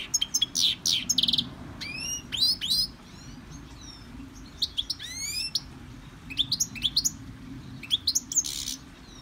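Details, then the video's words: Victorian brass cage holds a European goldfinch in CD song training. It sings bursts of twittering and buzzy notes mixed with upward-sweeping whistles, separated by short silences. "Goldfinch singing in Victorian brass cage"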